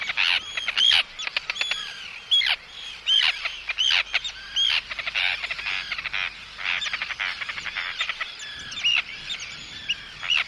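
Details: Arctic terns recorded close up giving anxiety and threat calls at an intruder, with chick calls included: harsh, grating notes with sharp downslurred tips, repeated in irregular bursts about every second, several birds overlapping.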